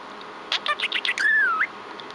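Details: Pet budgerigar chatting indoors to its owner: a quick run of short scratchy chirps, then a long clear whistle that slides down gently before flicking up at the end, over a faint steady room hum.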